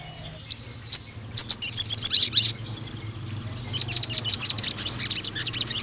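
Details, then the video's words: Juvenile spotted male crimson sunbird singing a long tutor song: scattered high, piercing chips build into rapid, shrill trilled runs, with slurred high notes toward the end. "BURUNG SOGON GACOR NEMBAK PANJANG UNTUK PANCINGAN MASTERAN TROTOL JANTAN"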